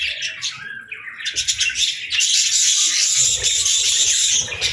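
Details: Budgerigar chirping and singing: scattered high chirps that build into dense, continuous scratchy warbling for the last half.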